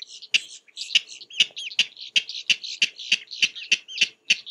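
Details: Close King rail in Florida's Mallory Swamp on a spring morning, calling persistently in the open; loud, harsh kek notes repeated steadily about every 0.4 seconds, a dozen in a row, each a sharp clipped bark.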